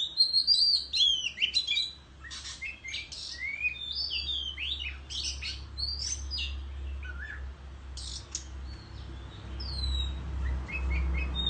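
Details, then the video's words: Countryside Oriental magpie-robin in competitive song, fanning its tail; loud varied whistles and quick slurred notes at first, then sparser chirps and whistled phrases over a steady low rumble. "Chích Choè Than Hót Múa Xoè Hót Đấu Tại Vùng Quê"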